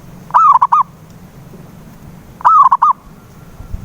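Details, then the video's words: Zebra dove voice used as a lure to make a silent dove sing: two loud, brief cooing phrases about two seconds apart, each a slurred opening note and then rapid staccato coos, over a quiet low hum. "PANCINGAN SUARA PERKUTUT BISU"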